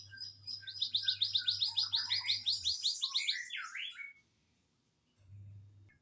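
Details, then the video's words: Canary singing a loud rapid rolling trill of evenly repeated high notes for about three seconds, ending in a swooping whistled phrase, then silence and a brief low hum. "serasa punya 2 burung kenari dan cigun"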